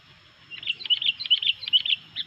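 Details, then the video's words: Sooty-headed bulbul singing energetically, a song said to agitate other bulbuls: a rapid, bubbly run of short chirped notes, about a dozen in under two seconds, with brief whistled accents. The background is clean. "SUARA BURUNG KUTILANG GACOR INI BIKIN EMOSI BURUNG KUTILANG LAIN"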